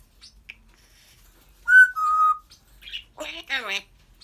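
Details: A pet African grey whistles a bright two-note phrase, then follows with a muffled murmur and a pair of speech-like syllables, as if mimicking a spoken question.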